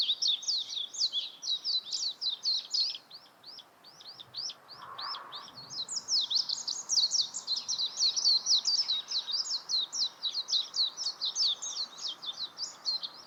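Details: Warbling white-eye singing a long unbroken stream of rapid, high, jumbled twittering notes.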